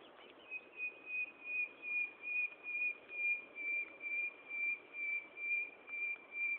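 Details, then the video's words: Common nightingale at Gaasperzoom on 16 May 2012 at 15:30, in the afternoon, giving a long run of pure, steady whistled notes on one pitch, each swelling and fading, repeated about twice a second, over faint background hiss. "Nachtegaal zang"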